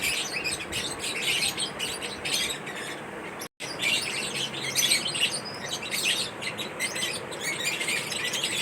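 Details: Corn-eating pet lovebirds keep up lively high chirps in irregular bursts, broken by a brief silent gap before the chattering resumes.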